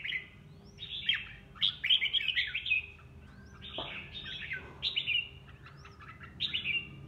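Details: Caged red-whiskered bulbul kept at home, singing in sparring practice: short bright warbled phrases with rising and falling notes, delivered in bursts about every second, separated by brief pauses, with a faint low background hum.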